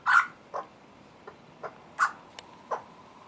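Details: Juvenile Australian magpies on their first visit, with the nervous adult male (their father) nearby, beg hungrily with harsh, raspy screaming squawks: six short bursts at uneven intervals over about three seconds, the first loudest.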